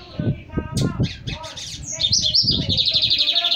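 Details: Young male Lined Seedeater near the end of its moult: after low thumps and voices, high sharp notes build into a fast, pulsing whistled trill that carries to the end.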